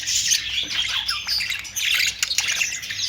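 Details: Budgerigar warbling: bright, high chirps and twisting whistled notes running almost without pause, a lively scratchy chatter throughout.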